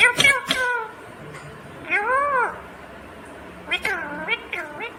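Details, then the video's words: Rose-ringed parakeet talking: clicky opening notes, then drawn-out arching words with strong harmonics and a couple of quick rising syllables, over a soft hiss with faint low tones. "Natural Sound of Talking Ringneck green parrot"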